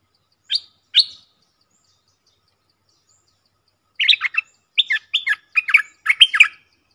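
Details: Caged Streak-eared bulbul used as a decoy bird to lure wild birds, which flew down to it: two short bright chirps, a pause, then a quick run of rich, bubbling two-part phrases in close succession.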